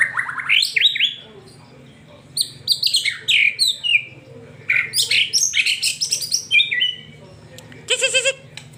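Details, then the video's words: White-rumped shama song, used to prompt a pet bird to sing: fast, varied phrases of whistles, slurred rising and falling notes and trills in quick bursts, with short pauses between phrases and a rapid buzzy rattle near the end. "Murai batu anda auto bunyi setelah dengar ini"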